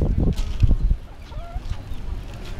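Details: Hens and roosters at Hanauma Bay give a quick run of low, throaty clucks in the first second, followed by quieter background noise with a faint, brief tonal note.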